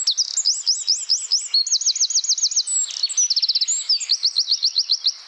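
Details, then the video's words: Eurasian wren, Troglodytes troglodytes, in the Czech Republic: loud, fast, high song of rapid trills and sharp chattering phrases, each burst a quick run of repeated notes, changing pace and pitch in one continuous outpouring. "Bird sounds – Eurasian wren (Troglodytes troglodytes)"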